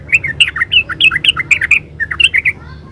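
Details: Lively, fast yellow-vented bulbul song: a rapid run of short, bright, bubbling notes about ten to a phrase, rising and falling, with a brief pause before a final burst of chirps.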